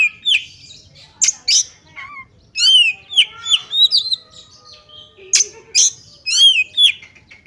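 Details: Female oriental magpie-robin used to provoke males into anger and fighting, giving scattered sharp chips mixed with clear whistled phrases. The notes come in spaced bursts, some rising and some falling, with brief silent gaps between them.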